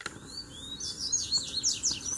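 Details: Brief fragment of a double-collared seedeater duel: a thin rising whistle, then a quick run of high descending chirps, with a faint knock at the start.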